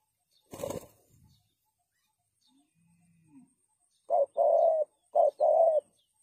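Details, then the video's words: A sharp knock and faint low sounds come first, then a spotted dove, kept to lure doves for trapping, gives two pairs of coos, each a short hoot and a longer steady note. "Suara Burung Tekukur Bersih Cocok Untuk Pikat"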